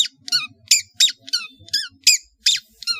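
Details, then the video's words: Long-tailed shrike of Madura origin singing a full varied master song: a fast series of harsh, squeaky chattering notes, each dropping in pitch, repeated roughly three times a second. "SUARA burung CENDET GACOR master full variasi | ASLI cendet MADURA GACOR DOR"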